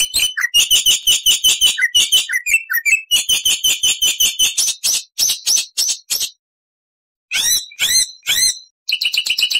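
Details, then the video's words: Energetic Black-winged starling song as training material: a long run of fast buzzy repeated notes, a short silence, then sharp upslurred whistles and more rapid chatter. "MASTERAN JALAK PUTIH GACOR FULL ISIAN"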